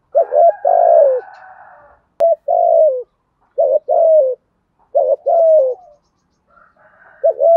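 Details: Spotted dove giving fast provoking coos: each phrase a quick double note followed by a longer falling coo, repeated about every 1.5 seconds. Fainter higher bird calls sound in the background.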